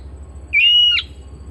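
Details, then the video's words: Home-kept Oriental magpie-robin giving one sustained, even whistle of about half a second that ends in a short downward flick, against a soft low hum. "Terapi Burung Kacer Rumahan Dua Puluh Empat Jam"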